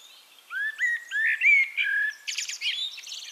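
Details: Male-style full song of a Eurasian blackbird at Castricum, the Netherlands: a sequence of rising, mellow whistled notes building into a sustained fluting phrase, then a chattering high-pitched squeaky ending.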